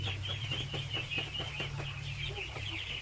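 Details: Ducklings in their thousands peep nonstop while being given food, a thick high chorus over a loud droning hum, punctuated by soft clicking taps.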